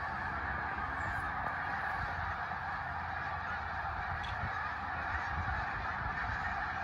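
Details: A large flock of snow geese flies over on the Eastern Shore, its many nasal, yelping honks overlapping into a steady, roaring din with no pause.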